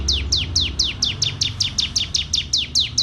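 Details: Canary from Wonosobo, Indonesia, singing a fast run of high downslurred notes, about thirteen in three seconds, each sweeping down sharply; a faint low rumble underneath.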